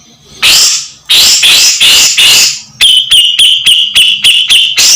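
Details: Grey-cheeked bulbul singing as a training master for songbirds: four loud, harsh, grating bursts, then a rapid series of clipped high chirps over a steady piercing whistle, ending in another harsh burst.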